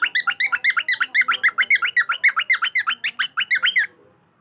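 A cockatiel gives a rapid run of harsh, rising chirps, about four per second.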